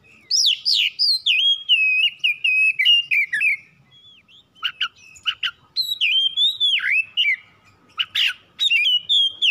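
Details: Kacer, or oriental magpie-robin, a home-kept bird, pouring out fast song used to provoke singing: looping whistled phrases with bright upward notes, short gaps, and clusters of crisp clicking notes.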